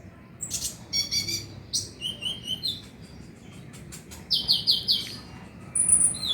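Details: Olive-backed sunbird song used to prompt night singing, with rapid high-pitched chirps and thin trills, a pause, then bursts of quick sharp descending notes repeated several times, heard against a constant low rumbling background.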